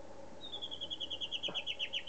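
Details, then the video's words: A White-bellied Antbird in Morrocoy National Park, Venezuela, gives a fast, high run of clear whistled notes, about eight per second, dropping slightly and turning more slurred toward the end, over a faint low hum. "White-bellied Antbird"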